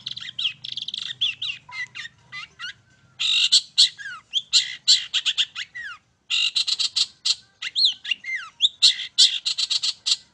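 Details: Long-tailed shrike song used as a lure to provoke other birds to sing: dense bursts of harsh, scratchy high notes mixed with quick rising and falling whistled sweeps, delivered in rapid chattering phrases broken by two brief pauses.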